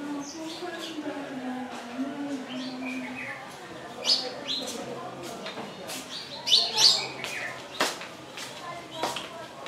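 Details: Wire-tailed swallows perched on a lodge roof in Pangani, Tanzania: scattered sharp, high chirps and clicks come in bursts, with a louder cluster of twittering notes near the end and low murmuring sounds underneath.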